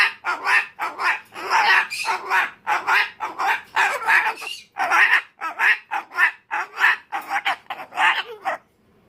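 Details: Umbrella cockatoo in a tantrum, letting out a long run of grating, scratchy shrieks in quick succession, almost without pause, ending in a short quiet.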